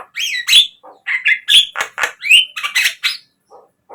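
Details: Javan myna song meant to coax captive mynas into singing: loud alternation of harsh grating notes and clear slurred whistles, rich and continuous, fading to a few soft notes at the end.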